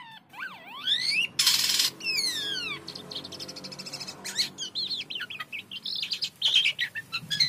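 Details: Lively song of a jalak kapas, the white-headed starling, in Indonesia: looping whistled slides, a loud noisy burst, falling glissandos, then a long stretch of quick twittering and mimic-like notes over a low background hum.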